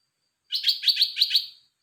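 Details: Caged red-whiskered bulbul sings a quick phrase of about four bright, rolling warbled notes in roughly one second, loud and clean against silence.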